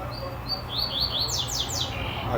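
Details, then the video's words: Double-collared seedeater of the Trovão song style, a male heard singing often at a butcher's shop in Marataízes; rapid whistled notes rising and falling, then a string of sharp downward-sweeping high notes, over background hum and a man talking. "Coleiro TROVÃO"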